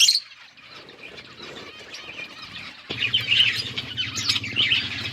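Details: Feeding budgies on October 29, 2023 chirp and warble in a busy overlapping chatter that grows louder midway, when a steady low mechanical hum starts underneath.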